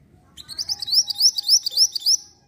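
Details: Lure song to make other birds answer: a rapid run of roughly a dozen high upward-slurred chirps, bright and evenly paced, over a soft low background hum.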